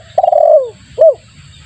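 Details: Spotted dove giving a lure call meant to draw in other doves: a long, throbbing coo that slides downward, followed after a pause by one short, hooked coo note, with a faint low hum behind.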